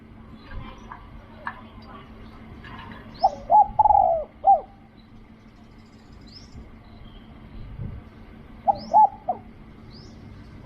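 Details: Spotted dove in Thailand during decoy luring gives two coo phrases, rolling and mid-pitched with a falling end note, while thin high chirps of other birds sound faintly around.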